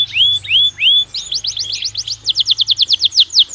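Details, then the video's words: Belgian canary in natural song, for daily stimulation of pet canaries: three slurred whistles, then a fast series of sharp falling notes speeding into a rapid rolling trill, with a faint low hum behind. "Canario Belga Cantando Naturalmente"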